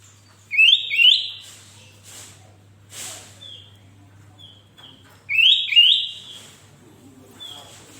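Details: Sooty-headed bulbul (kutilang) in full, vigorous song, used as a tutor to set other bulbuls singing. Loud paired rising whistled notes form a cheerful bubbly phrase, repeated after about five seconds, with softer single whistles between.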